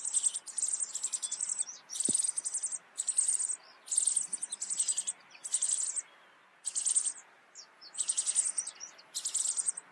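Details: Rock bunting in the Eifel giving very high, thin, buzzy bursts, each under half a second, repeated rapidly about once a second, with a single soft thump early on.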